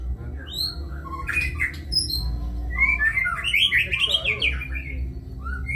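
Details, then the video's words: White-rumped shama, kebyok song style: scattered high thin whistles, then a dense burst of tumbling warbled notes in the middle, ending on a short rising whistle, over a low rumble. "Murai batu (Kebyok)"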